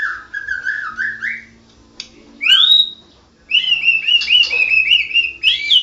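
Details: National champion white-rumped shama singing in the ngerol gacor style. A wavering run of whistled notes is followed by a pause and one loud rising whistle. After a brief quiet spell, a long, sustained, trilling high warble follows over a low hum.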